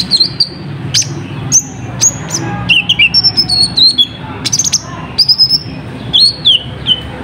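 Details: Olive-backed sunbird (kolibri ninja) song played as a lure to draw wild birds into answering: sharp, high chirps and short whistled slurs, some dropping in pitch, delivered in quick irregular bursts over a faint low hum.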